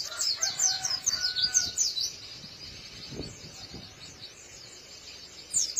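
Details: High, fast twittering from a white-eye with a crisp voice: a string of quick slurred notes for about two seconds, then fainter chirping and a final burst at the end.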